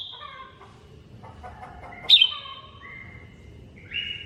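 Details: Greater green leafbird (cucak ijo mini) masteran song: soft layered tones, then one sharp sweeping note, followed by flat sustained whistles at stepped pitches, ending on a short rising whistle.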